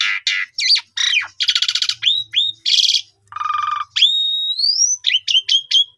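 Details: Asian pied starling song played as a lure to build a bird's confidence and draw out its full repertoire: a varied run of buzzy harsh bursts, clear rising and falling whistles, and a long upslurred whistle near the end, followed by short repeated notes.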